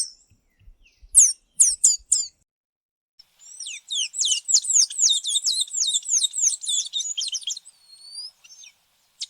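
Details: Tanager giving a few sharp, high downslurred notes, then a fast run of rapidly repeated high notes lasting about four seconds, ending with thin whistles.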